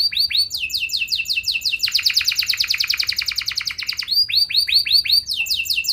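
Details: Canary in energetic, continuous song meant to prompt other canaries to answer and sing at length: rapid repeated trills of downward-sweeping high notes, shifting into a fast buzzy rattle mid-phrase, then back to bright sweeping syllables.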